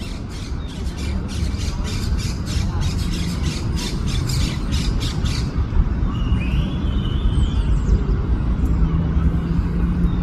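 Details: One of a pair of crested caracaras (carancho) resting on nests in an araucaria at Parque Las Heras gives a harsh, rattling series of rapid grating notes for about four seconds; a thin whistle from another bird follows over low wind and traffic.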